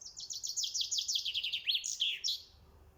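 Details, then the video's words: A house sparrow sings and chirps: a fast run of about a dozen bright, high chirps sliding gradually lower, then two sharper notes, in a quiet setting. "Singing and Chirping Sound of House Sparrow Birds"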